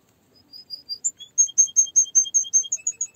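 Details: Canary song starting softly and swelling into a run of clear whistled notes, repeated about two and a half times a second, alternating high and lower pitches.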